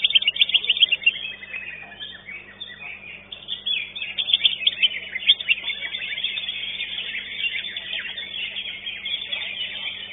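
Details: Greater green leafbird singing at a bird singing competition: rapid, high-pitched chirps and twittering phrases, dense at the start and again midway, fading into a softer continuous warble.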